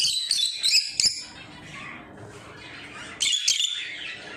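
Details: Lovebirds kept as pets chatter in a rapid cluster of shrill, scratchy chirps, then fall quiet for about two seconds before another harsh burst of squeaky calls.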